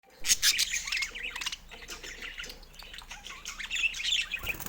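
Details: Budgerigar kept as a pet chattering: rapid high squeaky chirps and warbled twitters, a burst of harsh notes near the start, then continuous busy warbling with short rising whistles.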